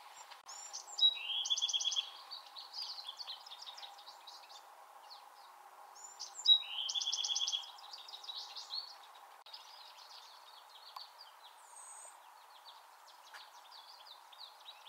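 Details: Bewick's wren in the Pacific Northwest singing a buzzy, trilled phrase twice about five seconds apart. Each phrase opens with sharp high notes and runs into a fast rattling trill, followed by softer scattered chips and a steady low background hum.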